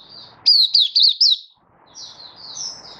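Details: Happy singing from a kept Malaysian white-eye, Singapore, warm sunny weather, 20 March 2023: one brief loud burst of four quick, high, zigzagging chirps, then softer high twitters over a faint background hum.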